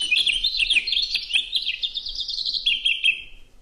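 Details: Cassin's Finch song: a long, fast, unbroken jumble of bright, musical warbled tweets and chips, perhaps a buzz or two, lacking the harsh zhit or zhreet notes of a house finch.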